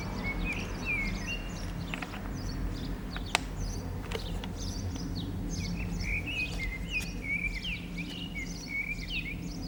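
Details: Common blackbird singing from an antenna in the town centre of San Martín, Zamudio, Bizkaia, on 18 April 2019: short warbled whistled phrases in the second half over steady low traffic-like rumble, with a few sharp clicks.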